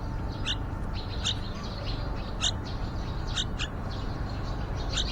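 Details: Yellow-vented bulbul family at a window-side nest on day 29, nestlings nearly fledged and talkative, responding to the parents. Brief bright chirps, often doubled, sound roughly every second against a constant low-pitched background rumble.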